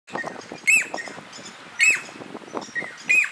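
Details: Southern masked weavers at a nest colony in Mopani Rest Camp, Kruger National Park, November 2010, where a male builds his woven grass nest: busy chattering chirps with three loud, harsh buzzy bursts roughly every 1.2 seconds.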